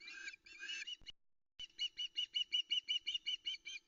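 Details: Female osprey waiting on a nest at Loch Arkaig, 13 August 2020, in soft misty early-morning light around 05:22, calling for a fish delivery: a brief harsh burst, then a rapid series of about fourteen evenly spaced, sharp whistled chirps.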